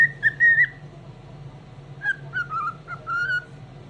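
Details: Happy morning singing by a cockatiel: a brief whistled phrase, a pause, then a run of pure, slightly wavering whistles that dip and rise, with a constant low background hum.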